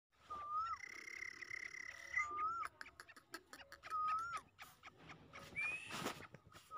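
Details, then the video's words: Grey francolin (teetar), a calling bird described as in full spirits; clear whistled notes, each bending upward at the end, repeated several times among many sharp clicks and tapping sounds. "Jhand Wala Malki Baz Teetar ! Bina Gani Wala Teetar ! Full Masti ! جھنڈ والا مالکی باز تیتر فل مستی"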